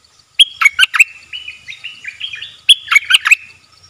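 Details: Loud and close, a wild bulbul, thought to have chicks in its nest and staying away from the cage, gives two cheerful phrases of sharp chirps joined by a rippling, stepwise warble.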